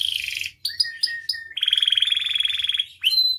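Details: Canary in full, energetic song, offered as a tutor and lure for other canaries: a fast rolling trill, short clipped whistles, then a long even trill of rapid pulses and a bright closing note.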